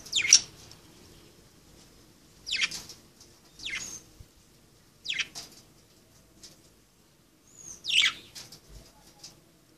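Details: Budgerigars playing, calling with harsh downward-sweeping chirps spaced one to three seconds apart, each short and scratchy, over a quiet background.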